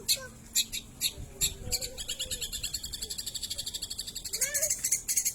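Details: Long-tailed shrike singing energetically, its song filled with lovebird imitation: fast, high, scratchy chirps repeated in a steady rapid chatter that speeds into a dense run, with a few lower squeaky notes mixed in.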